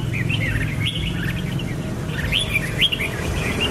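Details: Liquid chirping phrases from a red-whiskered bulbul, short warbles in two loose bursts with sharper upslurred notes near the end, over low background rumble.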